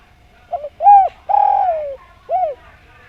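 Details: Spotted dove, locally called derkuku or tekukur, giving one full song phrase: a soft double coo, a rising-falling coo, a long rough coo sliding downward, then a last arched coo, all low and hollow, with a faint steady hum.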